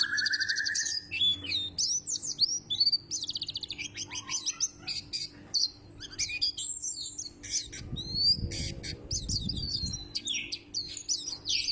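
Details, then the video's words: White-breasted white-eye, said to resemble the Sumbawa kecial and to have a loud voice, giving a dense run of high, sharp chirps and twittering notes, with a rising whistle near the start and quick tweets throughout. "Burung Kaca Mata Dada Putih,Mirip Kecial Sumbawa"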